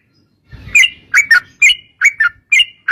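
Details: Yellow-vented bulbul giving lively, slurred bubbly phrases of paired notes, each dropping in pitch, with a soft rustle at the start.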